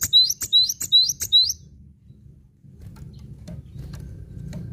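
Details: Bright, high-pitched phrase from a cinereous tit for song tutoring: four or five quick, sharp repeated notes in about a second and a half, followed by low rumbling background noise.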